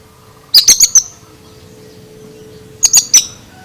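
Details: Two quick bursts of four sharp, ringing clicks from an Oriental magpie-robin, separated by about two seconds of near silence, part of an unusual-sounding song.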